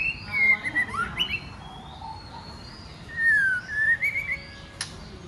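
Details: A female white-rumped shama provokes males to sing and fight with two whistled phrases. The first has wavering, falling notes with an upward flick. The second is a rising series of whistles, ending in a sharp click.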